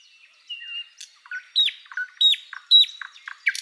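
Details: Thrush Nightingale song: a thin whistle opening into loud, repeated chock notes and slurred descending phrases at roughly two per second, with quiet clicks between.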